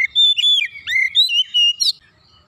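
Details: Oriental magpie-robin (kacer) that had stopped singing, now singing eagerly in gacor style after a single lure: loud whistled notes sliding between rising and falling pitches, in five quick bursts, then fading into quiet.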